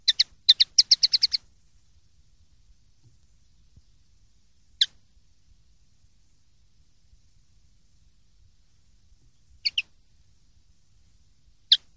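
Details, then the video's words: Clean linnet song of the silvestrismo tradition (pardillo limpio), 2023/2024: a burst of about ten quick chirped notes opening the phrase, then long gaps broken by isolated single or paired sharp notes, with a low faint hum underneath. "CD PARDILLO LIMPIO 2023/2024"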